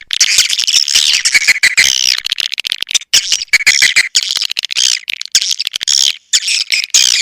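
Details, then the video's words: Swiftlet lure call of the sp. elang Borneo style, aimed at pulling swiftlets in: busy, shrill chatter of rapid clicks and squeaky trills, swelling in bursts with brief quiet breaks. "SUARA PANGGIL BURUNG WALET ASLI DARI ALAM"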